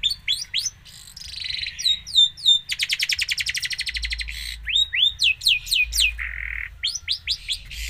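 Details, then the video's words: Long-tailed shrike singing a gacor song full of isian: varied rising chirps, a buzzy phrase, a long rapid rattle of repeated notes, then more upslurred whistles and a short buzzy note. "cendet gacor full isian"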